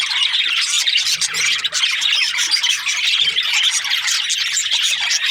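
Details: Continuous high chatter from several budgies, rasping squawks and chirps overlapping into a steady wall of sound, with a brief dip near the middle.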